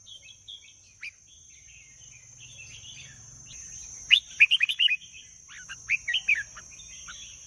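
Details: Red-whiskered bulbul singing: faint scattered notes at first, then clearer quick warbled phrases of several rapid chirpy notes, over a constant high-pitched hiss and low hum.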